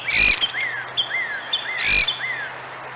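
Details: Two red-headed woodpeckers calling: a series of short, arched, slurred notes, roughly five in three seconds, with two louder, broader bursts among them and steady background noise.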